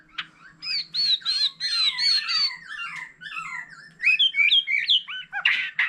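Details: An old wild-caught white-rumped shama pouring out many-voiced song together with a laughingthrush: loud buzzy high notes in quick bursts, followed by twisting bright whistled phrases and a harsh final flourish.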